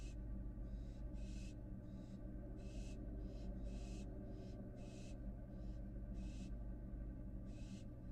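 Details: On a Florida nest-box camera, a fledged American barn owl back in the box hisses repeatedly: about a dozen short, harsh, breathy bursts, some stronger and some softer, against a steady low hum.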